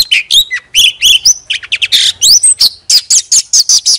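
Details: Oriental magpie-robin, a 'chòe than mồi' lure bird, singing a loud varied run of whistled notes, sharp rising and falling slurs and buzzy chips, delivered in quick bursts with brief pauses.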